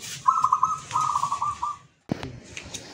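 A zebra dove gives a soft, rapid, burbling coo in two quick runs of staccato notes at a steady mid pitch, followed by a brief knock.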